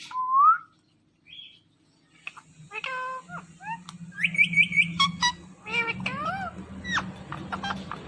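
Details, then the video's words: Talking Indian ringneck parakeet. A mix of sounds: a rising whistle, short squeaky notes, then a fast string of whistled syllables. Busy, varied chatter follows over a low background hum. "Amazingly Talking & Dancing Green Parrots"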